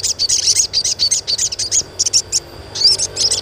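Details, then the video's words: Asian pied starling giving a lively series of high, rasping chirps in quick succession, with a brief pause before more chirps; the sound is meant to train young starlings to sing sooner. "SUARA CUITAN SOGON UNTUK PANCINGAN SOGON BAHAN AGAR CEPAT GACOR"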